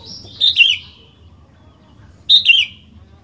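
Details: Sooty-headed bulbul singing energetically, used as a lure to get other bulbuls to sing: two short bright slurred phrases, each a quick double note falling in pitch, about two seconds apart over a quiet low hum.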